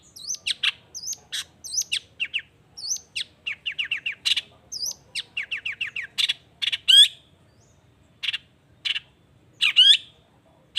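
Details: Long-tailed shrike in energetic lure song for drawing replies from other shrikes: clean sequences of short chips, quick upslurred whistles and repeated twittering groups, then sparser sharp buzzy notes with pauses, quiet background.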